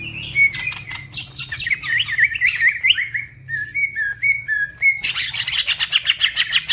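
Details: Green leafbird (cucak ijo) singing fast and lively as a masteran, other birds joining in. Wavering, twisting whistled phrases and high thin notes end in a burst of rapid repeated chips.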